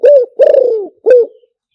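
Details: Luring call of a spotted dove played through a speaker: three hoarse, slightly falling coos, the middle one long and rough, the last short and trailing off.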